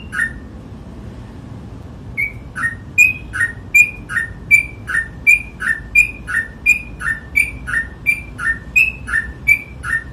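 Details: After two quiet seconds with one soft note, a Sooty-headed bulbul launches into a rapid, regular ropel run of alternating high and low whistles, roughly three notes per second, sustained for eight seconds.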